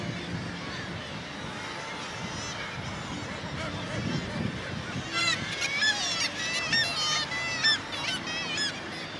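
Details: Black-legged kittiwakes calling over one another at an inland colony on the Baltic Mill, Gateshead, on the Tyne: nasal, wavering cries about once a second, growing louder and denser halfway, over a steady low rumble.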